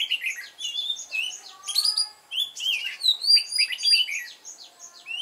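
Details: Continuous fast warbling from a lure red-whiskered bulbul with a mountain-forest voice, provoking fighting song; crowded, chattering whistles and quick chirps tumble over one another with barely a break.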